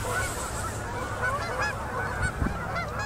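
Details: Canada geese in an immense fall-migration concentration landing on a Manitoba river at sunset, October 2018; a short burst of many overlapping honks, a few louder single calls standing out, with a brief low thud.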